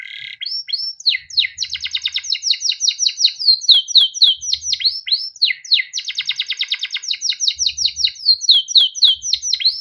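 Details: Caged male canary delivering a long continuous song meant to coax other canaries into singing: rapid rolling trills alternating with series of sharp descending chirps, high and bright throughout.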